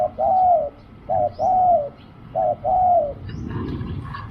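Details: Spotted dove heard during decoy luring, giving low hooting coos in pairs: a short clipped note followed by a longer slurred coo that falls at the end, the pair repeated three times, with faint chirps of small birds above.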